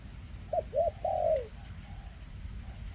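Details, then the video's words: Caged spotted dove from 2024 with a trembling leg, giving its prized thick rước cooing. One clear phrase of two short upturned coos and a drawn-out falling coo, then faint distant coos over a low rumble. "Chú Chim Có Tặt Có Tài , Siêu Phẩm 2024 Kèm Rước Siêu Dầy ( Chim Bị Rẩy Giò )"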